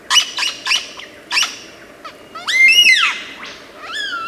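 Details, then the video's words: Lyrebird of Australian forests, known for mimicking many sounds, giving a varied run of loud calls: short repeated squawky notes, then long arched harmonic wails and a rising whistle, over steady low background hum. "Lyrebird song bird singing"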